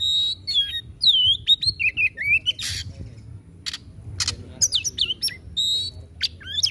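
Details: Vigorous 'tembakan' singing from a kacer (Oriental magpie-robin): bright whistled slurs and quavering notes, rasping bursts, then a quieter gap before more sharp whistles and scratchy notes, steady low hum underneath.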